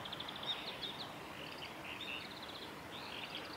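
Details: Among cherry blossoms at Suga Shrine on 23 February 2019, Japanese white-eyes utter quick, thin, high chirps and short trilled bursts repeated irregularly, with constant background noise.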